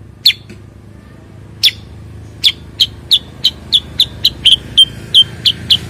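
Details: Bulbul, locally cucak kurincang or kuniran, uttering sharp clicky chips that start sparse and quicken into a steady run of about four per second, over a low background hum.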